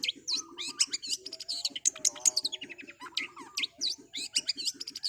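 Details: Long-tailed shrike delivering rapid song: a nonstop jumble of high scratchy notes, upslurred and downslurred whistles and short trills, with a regular low pulsing beat behind.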